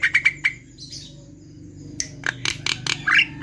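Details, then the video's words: Lively Javan myna song played to coax silent mynas into singing: a few quick harsh notes, a gap, then broad squawks, clicks and a short rising whistled figure over a low steady hum. "pancingan jalak kebo"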